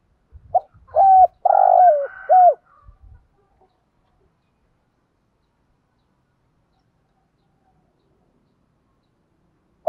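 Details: Spotted dove used as a lure bird, cooing once to draw in wild doves: a quick note, a level coo, a long grating coo and a falling final coo, then faint low thumps and a long silence.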